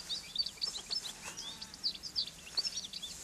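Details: European goldfinch singing among fennel where the birds gather to feed and sing, Garraf Massif, Catalonia; dense, very high tinkling trills and twittering notes pouring out continuously with bright accented chirps.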